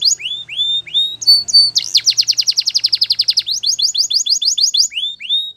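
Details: Canary song beginning with rising whistled swoops, then a rapid run of descending sweeps forming a rolling trill, followed by repeated bright chirps and a final upward-slurred whistle.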